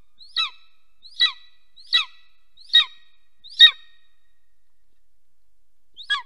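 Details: Golden eagle yelping while the pair mates at its nest, Soomaa National Park, Estonia, nest camera, morning of 17 March 2024; five loud, high, falling cries about 0.8 seconds apart, a gap, then one more.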